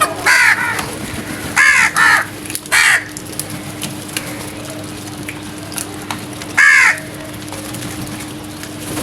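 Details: Crows in the early morning: an opening run of four harsh caws, a long pause with faint background noise, then one more loud caw.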